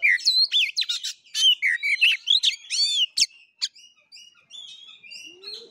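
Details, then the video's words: A magpie-robin's Kura-kura fighting-style song: a rapid string of loud whistled loops and sharp chips, about two per second, trailing into softer, drawn-out high whistles. "KACER NGEPLAY TARUNG|GAYA KURA KURA"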